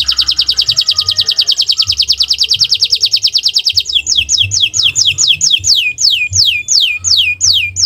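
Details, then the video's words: Canary song in the owor-owor style, used as a tutor recording for caged birds: a rapid, buzzy high trill for four seconds, then a slower run of clear descending whistled notes repeated about twice a second. "Gacor Owor-owor uhuii"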